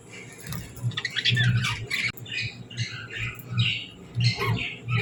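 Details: Happy parakeets give short scratchy squawks and bright chirps in spaced bursts, over a low steady hum in the background.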